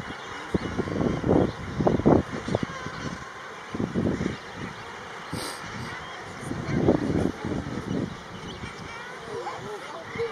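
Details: A common guillemot (murre) colony with chicks at Elegug Stacks, Pembrokeshire, gives deep, growling, purring calls in overlapping bursts every second or so, many birds calling at once.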